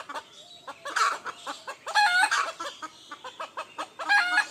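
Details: Roosters crowing in the morning: several loud cock-a-doodle-doo crows rise out of steady rhythmic clucking, with a crow roughly every second or two, some overlapping.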